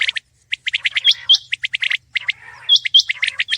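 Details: Common quail (Coturnix coturnix) calling: quick runs of short, bright chirping notes, closely packed and uneven, broken by a few squeaky rising whistles.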